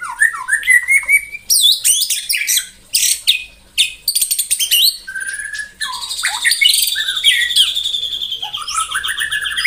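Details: White-rumped shama song played in the morning to provoke rivals: varied loud whistles, slurred rising notes and rapid buzzy trills with harsh bursts, delivered in dense bouts with short pauses.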